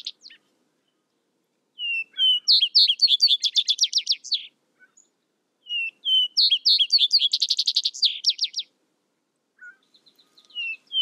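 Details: Vesper sparrow singing two full songs about four seconds apart. Each opens with clear, level whistled notes, then breaks into fast buzzy trills and ends with quick descending slurs. A third song begins at the end, with a quiet background.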